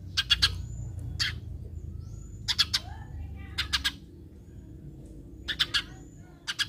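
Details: Eurasian tree sparrow calling as a lure to prompt other sparrows to answer: short, harsh, broadband chirps in quick pairs and triplets, with gaps of about a second, over a low constant rumble.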